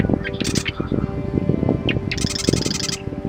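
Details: Active Marsh Wren moving between reeds at an Eastern Washington marsh; short chattering notes, then a fast mechanical rattling trill under a second long, with rustling and low thumping handling noise nearby.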